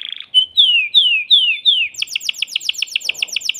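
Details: Excited caged male canary singing to stimulate a female for mating: four clear descending whistled slurs, then a rapid buzzy trill of repeated short notes.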